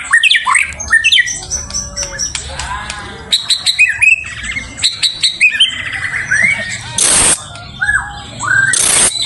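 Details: White-rumped shama singing as a lure to draw out a rival: a loud, busy medley of rich whistles, harsh squawks and rapid chattering trills, broken by two short bursts of hissing noise near the end.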